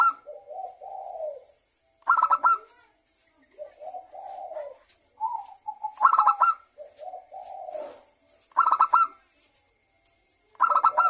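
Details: Perkutut (zebra dove) lure song meant to prompt local and Bangkok birds to sing: low mellow cooing runs alternate with four sharp, harsh stuttered bursts spaced about two seconds apart.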